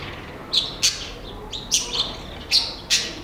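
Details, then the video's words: Great-tailed grackle visiting a garden in Nezahualcóyotl, State of Mexico, giving sharp high clicking chips in pairs, about six in three seconds. "Zanate de visita en el jardín (quiscal)"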